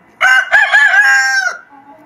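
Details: Morning crow of a domestic rooster: a single loud, harmonic cock-a-doodle-doo lasting about one and a half seconds, with short broken opening syllables and a long steady final note that fades out.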